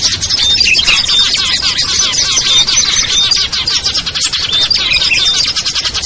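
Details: Small songbirds including ciblek, kutilang, trucuk, sogon and perenjak, played to pull birds down; a constant noisy mass of high chirps and short whistles overlapping, several birds calling at once.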